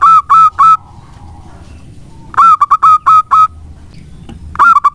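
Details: Energetic local zebra dove singing, used to lure other birds: short bursts of quick, hollow cooing notes separated by pauses of about a second, with a faint low background murmur.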